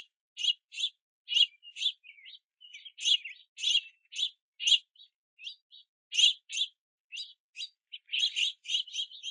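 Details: Several juvenile house finches begging for food at a backyard platform feeder in the rain, parents gathering sunflower seeds; a busy stream of short harsh chirps, some doubled, bunched irregularly over nine seconds with brief gaps.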